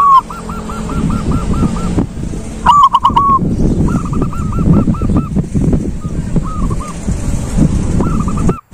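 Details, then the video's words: Zebra dove, silver variety, in 'ngalung' song: a rapid train of hooked cooing notes, then a louder cluster, followed by shorter coo phrases spaced across several seconds over a rumbling, noisy background. "Perkutut silver jos suara ngalung bikin yg malas jdi ikut nyaut"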